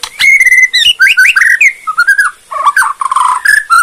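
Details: Kretekan song of a Bornean white-rumped shama, used to trigger other shamas into answering: a long loud steady whistle, then quick rising and falling slurred whistles and lower warbling notes, with a few clicks.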